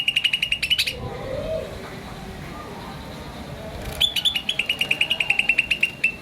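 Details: Green starling chirping: a quick run of sharp, high chirps opens, then a pause, then a longer rapid series of evenly spaced bright chirps, with a faint low rumble underneath.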